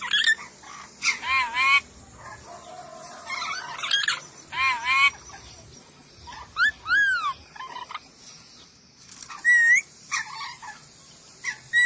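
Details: Training recording of a Sulawesi ornate lorikeet: dense run of harsh screeches, buzzy rasps and rising-falling squeals, with a short quieter stretch before more piercing calls near the end.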